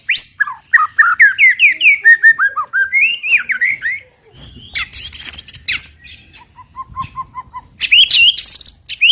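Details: White-rumped shama song meant to provoke other birds: a rapid cascade of varied whistled notes stepping up and down, then harsh buzzy bursts and a short run of soft repeated low notes.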